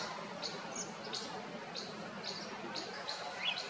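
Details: Pair of Indian white-eyes (Zosterops palpebrosa) preening each other and feeding in a wild orange tree in an orchard give thin, high chips in quick, irregular succession, several per second, over a steady background hiss.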